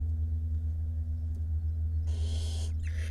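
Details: Barn owl nestlings, five chicks in a camera-monitored nest box in Israel, 22 May 2021: a harsh, broadband hiss about two-thirds of a second long, then a second, shorter hiss, over a steady low electrical hum.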